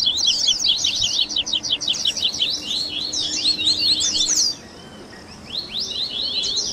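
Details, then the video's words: Double-collared seedeater 'baderna', a mix of tui tui, grego, viviti, flauteado and 3ª nota song styles for training captive birds: dense, fast high chirping notes overlapping for four seconds, a short gap, then brief twittered bursts. "ESQUENTE SEU COLEIRO Áudio de Baderna"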